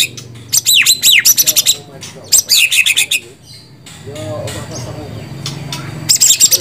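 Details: White-rumped shama singing: bright whistled notes sliding down, then quick buzzy bursts of rapid high notes, a pause with soft low murmuring, and a final fast chattering run.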